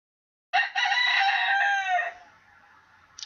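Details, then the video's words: A rooster crows in the background of an indoor recording. It gives one long, strained harmonic cry of about one and a half seconds that trails off, followed by quiet and a faint click. "ça met un peu d'ambiance le coq qui chante"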